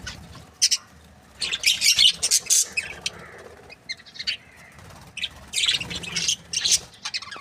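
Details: Happy budgerigars give scattered bursts of scratchy chirps and squawks between quieter gaps, with faint soft warbling underneath.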